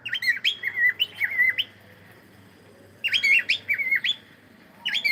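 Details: Cockatiel at play sings short bursts of clear whistled notes that dip and climb, two warbling phrases separated by a pause of over a second, the second phrase cut off at the end.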